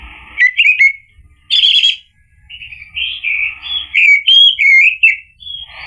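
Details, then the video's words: Orange-headed thrush song used to spur a male to sing: short warbles, a loud harsh burst, then a long run of varied looping whistled phrases. "PANCINGAN ANIS MERAH agar NYAUT jadi BUNYI GACOR ikut NGEPLONG"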